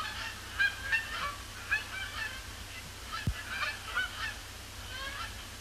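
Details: Incoming Canada Geese over Sapsucker Woods Pond, Cornell Lab of Ornithology, after sunset on a heavily overcast October evening; scattered, more distant honks in irregular bursts over a low steady hum, with one short knock.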